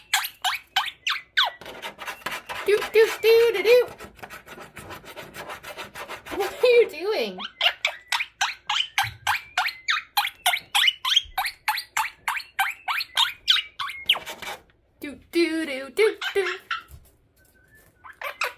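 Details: Pet Quaker (monk) parakeet, a male, chattering at bedtime with rapid, rasping repeated notes, squeaky mimicked laughter and tune fragments while dancing and putting off going to sleep.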